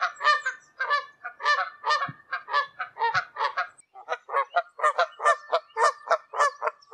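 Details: Wild Canada geese honking high overhead in flight in open Canadian country, a rapid, nearly continuous stream of loud nasal honks from several birds, with one low thump near two seconds.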